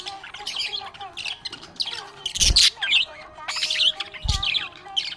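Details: A happy budgie warbles and chirps nonstop with scratchy, high-pitched twittering phrases and squeaks. Two muffled thumps are heard midway and near the end.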